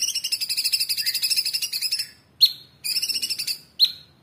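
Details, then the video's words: Orange-bellied leafbird, cucak cungkok, kept as a cage bird, singing a long 'tembakan' burst: rapid trills of high ringing notes repeated many times, then short upslurred whistles separated by pauses. "Tembakan Cucak Cungkok super gacor"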